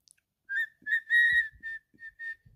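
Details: Clear whistled phrases from a pet cockatiel, several short notes and one longer sustained whistle, with faint low knocks in the background.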